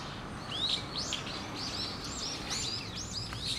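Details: Brown-eared bulbul sounding its bird-of-prey alarm, November 2013; a rapid run of shrill, arched notes repeated several times per second over steady low hum.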